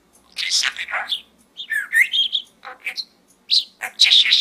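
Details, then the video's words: Pet budgerigar chattering inside a small gourd, a fast run of scratchy, squeaky syllables and bright rising chirps, nearly continuous, with harsher bursts near the end and a faint room hum. "Bird Talk in the small gourd"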